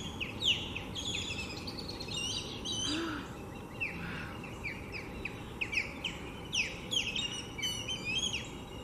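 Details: At Lake Seminole Park in Seminole, Florida, a nesting osprey pair with three chicks defends its brood from another osprey, giving loud descending whistled chirps in bursts over steady background hiss.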